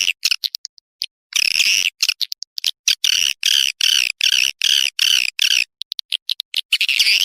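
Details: Swiftlet calls played to attract swiftlets into a nesting building: sharp clicks leading into repeated loud buzzy chattering bursts, roughly two to three per second.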